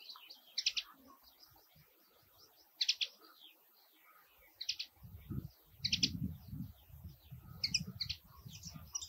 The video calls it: Calling Linnet